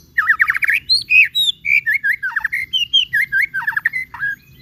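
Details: Lively white-rumped shama in full song, a lure meant to provoke a fast reply from other shamas; a rapid trill opens a rich, unbroken string of bright, varied whistles and sharp downward flicks.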